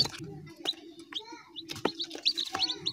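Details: Young chickens cheeping: scattered high, bending chirps, some with fainter lower harmonics, set against sharp clicks and a persistent low droning hum.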